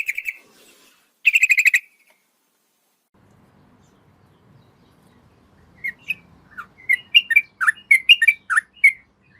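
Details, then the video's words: Female yellow-vented bulbul calling the male at night: two short rapid bursts of notes, a quiet pause with a faint low rumble, then a lively string of varied, jerky whistled notes rising and falling. "PANCINGAN TRUCUKAN ROPEL PANJANG SEKETIKA LANGSUNG NYAUT masteran burung trucukan malam hari"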